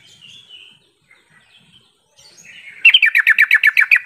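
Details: Yellow-vented bulbul lure call for provoking answering calls: faint high whistles at first, then a run of sharp, rapid chattering notes, about four per second.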